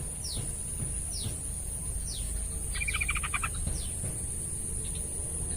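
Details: Yellow-vented bulbul song: a short burst of bubbly, rapidly repeated chortling notes lasting about a second, amid repeated thin descending whistles from other birds, a steady high hiss and low rumbling background noise.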